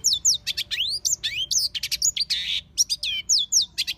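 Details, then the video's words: Long-tailed shrike singing in the wild: a varied, rapid medley of sharp rising whistles, downslurred notes, harsh buzzy bursts and chattering phrases in quick succession, with no other clear sounds. "Burung Cendet di Alam Liar"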